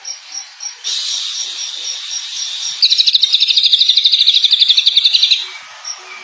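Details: Greater green leafbird, a champion singer with a rich song repertoire: steady loud hissing first, then a fast run of about twenty-five bright, ticking high notes over two and a half seconds, with faint repeated chirps before and after.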